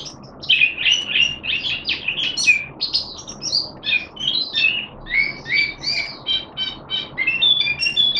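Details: Malaysian Oriental white-eye (mata puteh), kept caged, in happy open song display, pouring out a long, lively stream of high, sweet twittering and whistled warbles with brief rhythmic gaps, over faint low background hum.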